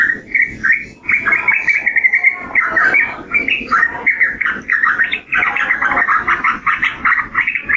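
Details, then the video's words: Yellow-vented bulbul giving a long, fluid outpouring of bubbly, slurred whistles, repeated phrases tumbling together with few pauses. "Suara Burung Trucukan"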